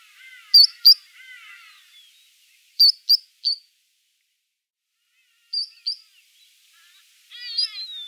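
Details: Three-banded plover at Sunset Dam, Kruger, giving sharp, high 'wik-wik' notes in pairs and triplets every few seconds, over softer chattering from other birds.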